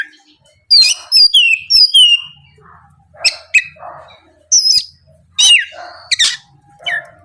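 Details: Morning lure song of an Oriental magpie-robin, loud and continuous in 'gacor' style to provoke rival birds: a burst of repeated high falling whistles, then scattered harsh rasping notes and shrill slurred phrases.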